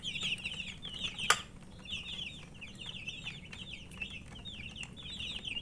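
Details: Thirsty baby chickens peep continuously, a flock of small birds making high, wavering chirps in quick runs, broken once early by a loud sharp knock.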